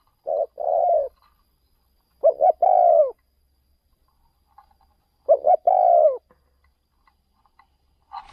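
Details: Spotted dove decoy on an out-of-province luring trip delivering three separated song phrases, each a quick stuttered double coo and a long slightly falling coo, spaced about three seconds apart, with faint soft bumps.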